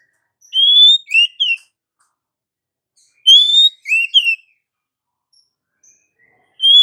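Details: Oriental magpie-robin female calling to a male, sounding two bursts of bright whistles about three seconds apart, each a long slurred note followed by shorter rising and falling notes, with near silence between.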